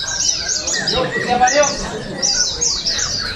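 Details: Short burst of oriental white-eye contest song in Sarawak, 2023: shrill, quick descending chirps and twitters crowding together, a few lower notes mixed in, and background talk from spectators.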